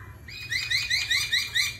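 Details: High, bright chirping from a laughingthrush singing in competition with a wild forest voice: a fast series of about seven quick upward-sweeping notes, evenly spaced over under two seconds.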